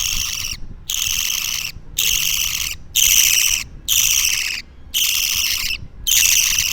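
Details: Young budgerigar chick aged two weeks making loud grating, hissing rasps, each lasting under a second and repeated about once per second with clean silent gaps between them.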